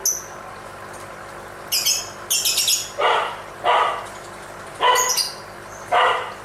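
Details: Lovebird singing while dancing: sharp high chirps near the top of the range mixed with harsher, lower rasping bursts, given irregularly about once a second over a steady faint background hiss.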